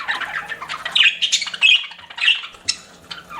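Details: Pet budgies giving scattered chirps: sharp, squeaky rising notes and short warbles, sparser than a full chorus, separated by brief gaps.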